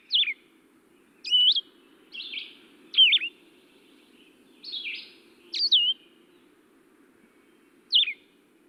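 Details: Blue-headed Vireo song, a species nesting in Michigan's upper Lower Peninsula and Upper Peninsula: short, sweet slurred phrases rising and falling, about seven in nine seconds with clear pauses between them, over a low steady hum.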